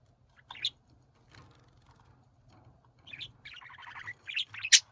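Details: Domestic budgerigars, quiet at first with a few faint chirps, then breaking into a busy twittering, buzzy warble and a final shrill squeak.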